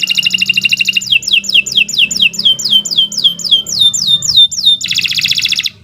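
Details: Canary master song: a fast trill gives way to a long series of downward-swooping notes about four per second, ending in a dense buzzy trill, faint low hum behind.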